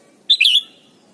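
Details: Red-whiskered bulbul from Thailand, in a recording meant to teach young birds to sing. One short bright chirped phrase: a clear whistled note, then a quick rising-falling slur, against a quiet background.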